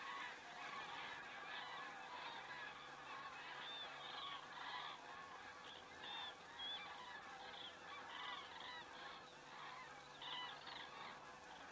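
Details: Common cranes flying over in Estonia, filmed by a crane camera on 27 September 2017 at 19:26; a distant flock gives overlapping rolling trumpet calls in a steady, fairly quiet chorus with no clear gaps.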